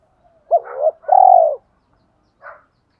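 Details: Spotted dove giving a single thổ pha đồng style phrase meant to provoke wild doves: a short double note followed by a long, steady, mellow coo, then a brief faint note after a pause.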